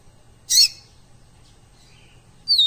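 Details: Double-collared seedeater song recorded live to tutor captive birds: one harsh, buzzy burst, then near silence with faint notes, ending on a clear high whistled note.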